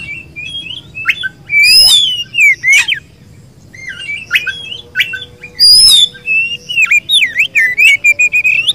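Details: Kacer, the Oriental magpie-robin, a kept bird singing energetically: rich whistled phrases mixed with harsh squawky notes and rapid chattering trills, a short quiet gap midway, then a fast series of clipped whistles and twitters.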